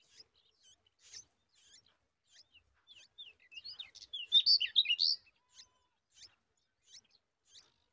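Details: Yellow-tailed bulbul at the nest as nestlings are fed a spider; soft high ticking notes lead into a loud cluster of twisting whistled squeaks, then fade back to spaced faint chirps in quiet surroundings.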